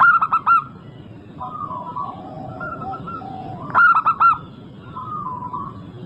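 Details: Two loud bursts of quick, rolling four-note coos from an active local zebra dove, at the start and near the end, separated by softer, long cooing notes from neighbouring doves.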